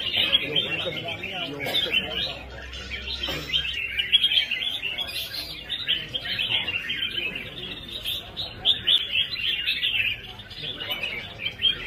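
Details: Red-whiskered bulbul giving a rhythmic competition-style song: bright, rapid chirping phrases in a steady stream, with other birds chattering around it and faint voices near the start.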